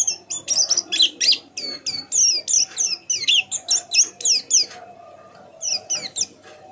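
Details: White-eye giving soft twittering while learning song, used to encourage other white-eyes to sing: rapid series of high downslurred chirps, a pause, then a few more, over low background noise.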